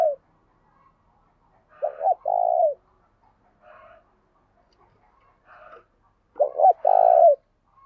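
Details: Decoy spotted dove giving 'gáy sung' coos during kích bổi training: two well-spaced phrases, each a brief doubled note running into a long low coo. Short faint hoarse calls are heard in the pauses.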